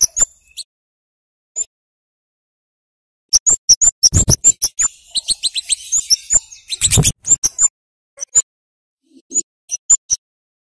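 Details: Flowerpecker singing to prompt young birds: scattered lone high ticks, then a lively rapid burst of piercing chirps lasting several seconds, followed by a few spaced notes.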